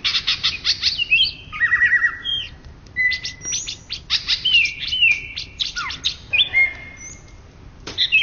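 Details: Champion greater green leafbird, Indonesia, 2013–2014: a lively song of sharp chips, steady whistles, a short buzzy rattle and falling slurs, nearly unbroken throughout.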